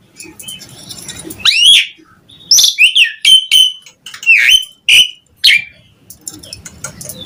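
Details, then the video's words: Asian pied starling singing as a lure for other starlings, giving a loud rising whistle, then a series of clear flat whistles and downslurred notes over faint background hiss. "Suara Jalak Suren Gacor buat Pancingan Burung Jalak Agar cepat Bongkar Isian"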